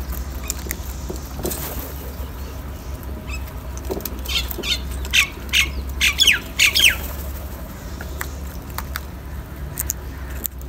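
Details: Crow feeding on salty food and other scraps gives a cluster of harsh, rasping caws in the middle seconds, several in quick succession, with faint clicks and a constant low background hum.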